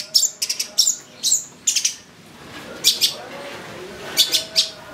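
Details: Long-tailed shrike with full isian song, used as lure playback to provoke excited singing. Shrill, very high squeaky notes in quick groups, with a pause mid-clip before more paired high squeaks.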